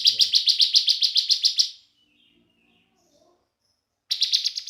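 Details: Bar-winged prinia (ciblek), a young bird, singing as a lure for other birds: a fast run of high pulsed buzzy notes for under two seconds, then over two seconds of near silence, then the trill resumes.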